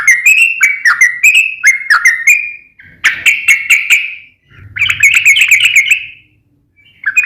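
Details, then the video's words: Sooty-headed bulbul in energetic nembak ropel ngeplong song. Fast runs of bubbly whistled notes come in three bursts separated by short gaps, with a faint low rumble beneath. "KICAU SUARA trucukan gacor NEMBAK ROPEL NGEPLONG"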